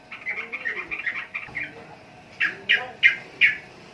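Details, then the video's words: Trucukan, the sooty-headed bulbul, gives a soft run of fast warbling notes, then four loud, sharp, separate chips spaced evenly about a third of a second apart. "Burung Trucukan Kicau Mania"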